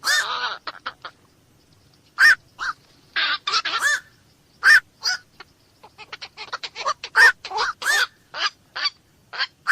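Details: Harsh, nasal croaking squawks from a black-crowned night heron, delivered in irregular bursts and doublets throughout, some clipped and short, others fuller and hoarse.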